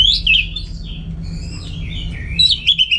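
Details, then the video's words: Orange-headed thrush kept at home sings rapid, sweeping whistled notes that rise and fall, closing with quick bright chirps over a constant low electrical hum. "Super Kicauan ANIS MERAH Gacor"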